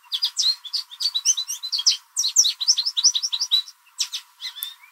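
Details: Spring backyard American goldfinch giving a loud mating song: dense bursts of high, varied chirps and twittering notes, with a brief pause near the end before more chirps resume.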